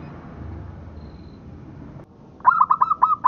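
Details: Local zebra dove song used as a master recording for training: after two seconds of low background rumble, a rapid series of six short, bubbling, mellow cooing notes, each bending upward, delivered in quick succession.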